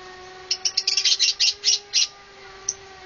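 Lovebirds give a burst of shrill, high chirps, about a dozen quick notes over two seconds, then a single late squeak; a faint steady hum underneath.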